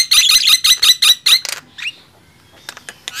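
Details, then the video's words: Black-winged myna and Nias hill myna singing against each other: seven loud, harsh, evenly spaced squawks, then a single swooping whistle and faint scattered ticks. "Adu keras gemboran jalak nias vs jalak kebo"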